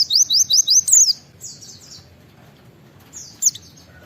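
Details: Wild-style 'wit wit' white-eye call, intended to prompt other white-eyes to answer: a quick series of high, falling whistled notes, a softer trailing phrase, then quiet with one last sharp downward whistle.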